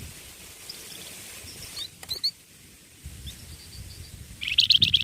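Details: Young tutor songbird singing: faint scattered chirps and a short sharp pair of notes, ending in a loud quick burst of high twittering over low background noise.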